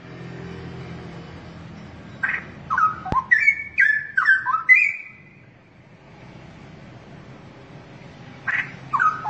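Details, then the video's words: Caged straw-headed bulbul from Indonesia, a songbird noted for its very loud, ringing voice, delivering a short burst of rich gurgling whistles, stepped rising notes, then quiet, then another brief phrase near the end over steady low hum. "Kicau Burung Cucak Rowo Rawa Gacor"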